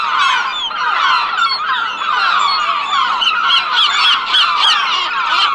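A flock of gulls calls continuously, with many overlapping harsh, yelping and laughing cries that rise and fall, several every second, and no other sounds.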